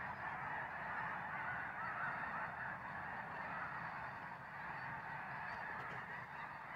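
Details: Snow geese in a flock, many birds honking at once in a thick, even chorus of nasal yelping notes that holds steady from start to finish.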